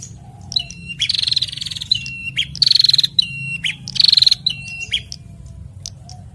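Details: A male and female bar-winged prinia pair answer each other in a lively duet: a thin whistle slides down, then a rapid buzzy trill follows, the phrases repeating roughly every second and a half over a low background hum.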